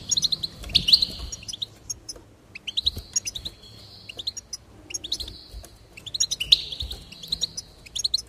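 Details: Singing goldfinch delivers rapid chirp runs ending in long buzzy trills, phrases returning roughly every two seconds, with quiet gaps and faint low background noise.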